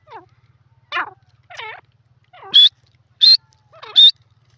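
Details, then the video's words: Grey francolin, the teetar, giving a few descending slurred notes, then three loud, sharp, high calls spaced under a second apart, over a faint low hum. "teetar ki awaz videos grey partridge bird voice"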